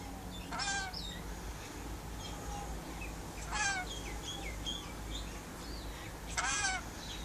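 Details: Pet rainbow lorikeet on a verandah during outside time, calling to wild birds: three harsh, raspy screeches roughly three seconds apart, with thin whistled and chirping notes from other birds filling the gaps.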